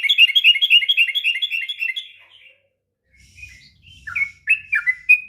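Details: Sooty-headed bulbul singing a long ngropel song meant as a master for training young birds: a quick rippling trill of bright notes fading out, a pause, then resumed whistled falling phrases.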